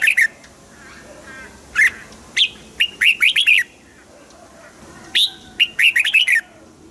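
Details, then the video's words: Caged red-whiskered bulbul, song meant to excite caged birds: loud bright whistled phrases of quick rising-falling notes around two to four kilohertz, repeated in short bursts with quiet gaps, faint background hiss. "นกปรอดหัวจุก | เสียงนกกรงหัวจุก ขวัญใจสายเบิ้ลอาชีพ ฟังแล้วคึกเหมือนเดิม นกไม่คึกห้ามฟัง"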